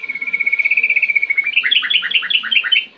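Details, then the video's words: Sooty-headed bulbul singing lively in the ngetir ngerol style: a steady chattering run of rapid high notes that breaks into fast, rolling, slurred chirps, repeated many times per second. "Trucukan Gacor Ngetir NgeroL"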